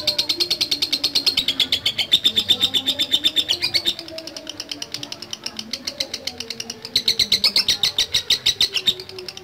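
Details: Lovebird in long ngekek chatter, fast high trilled notes in two loud bursts separated by a quieter, thinner stretch, with faint low tonal sounds running underneath.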